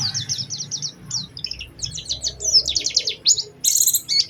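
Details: White-eye lure song with special phrasing: strings of rapid high chips repeated over two per second, building into denser trills and buzzy bursts at the end, over a low background hum.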